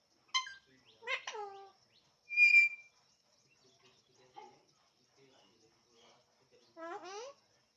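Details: Alexandrine parrot mimicking speech: a few scattered nasal, word-like syllables with falling pitch, a brief steady whistle, then a rising chattered phrase at the end, separated by long near-silent pauses.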